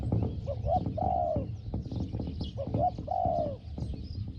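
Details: Spotted dove with a small 'hong hong' voice, calling to lure a wild dove. Two clear phrases, each a couple of short hoots leading into a long, smoothly descending coo, over faint chirping birds.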